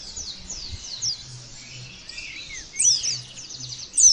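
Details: Oriental white-eye (pleci) in a training recording meant to spur birds into the loud 'nembak' singing style; sparse high, thin chirps and slurred whistles with a few rapid bursts, over a faint low hum.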